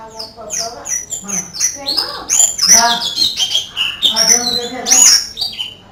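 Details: Canary-style singing credited to an Oriental white-eye, with quick high whistled notes, sharp upward and downward slides and some lower, rounder tones mixed in.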